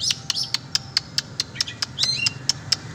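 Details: Oriental magpie-robin, a kept bird in a sport-style free-flying session, giving sharp clicking ticks about twice a second mixed with short high whistled slurs; a steady low hum sits underneath.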